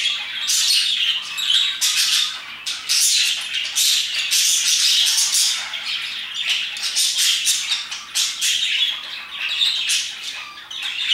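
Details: A noisy flock of parakeets around 2pm gives rasping squawks and quick high chirps, densely overlapping in surges that rise and dip in loudness.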